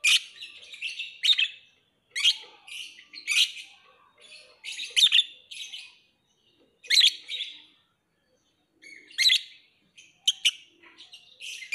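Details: Lovebird repeating loud, harsh, high-pitched squeaky chirps in short clusters about once a second, separated by brief silences.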